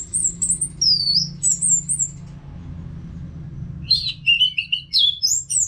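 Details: Caged orange-headed thrush in steady song; very high, drawn-out whistled phrases, a pause, then a faster mix of warbles and chips in varied pitch.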